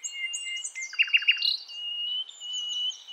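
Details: Nightingale, a wild female from Javan and Acehnese forest calling the male, used to lure young birds: long pure high whistles held steady, broken by three quick loud chirps and a buzzy trill.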